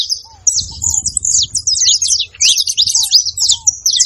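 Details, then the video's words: Saffron finch with ground doves nearby. Rapid, high, scratchy chirps and twitters pour out almost continuously, while a few soft, low, downward-slurred notes repeat at intervals underneath. "Canário da terra fazendo barulho junto com rolinhas"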